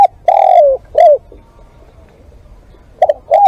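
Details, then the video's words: Spotted dove calling during live decoy luring: a stretched, slightly falling coo and a short hoot, a pause, then two fresh notes opening another phrase. "เสียงนกเขาใหญ่ ต่อสด"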